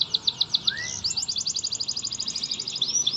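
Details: Canary song used to coax a quiet canary into singing: fast rhythmic trilled phrases of high repeated notes, about two or three per second, then a rapid rolling trill, with one low rising whistle.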